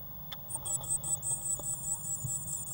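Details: Eurasian blue tit nestlings in a nest box on 1 June 2016: a short tick, then a quick run of high, thin squeaking calls in close succession.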